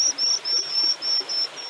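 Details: In the Mongolian Altai, White-throated Dipper chicks in a streamside nest give a quick run of thin, very high begging notes, about four a second, as a parent arrives with food in the morning, over a soft hiss.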